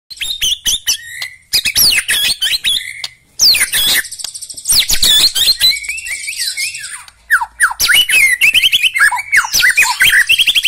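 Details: Black-legged white-rumped shama singing a rich, varied song: bursts of sharp high chirps and rattles, sliding whistles, and dense tumbling phrases broken by brief pauses.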